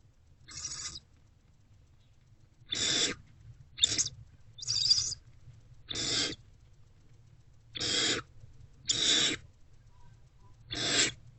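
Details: Harsh screechy hisses from a hungry barn owlet feeding on a rodent in an owl box, early afternoon, 29 February 2024. Eight short rasping bursts come at uneven intervals over a quiet background hum.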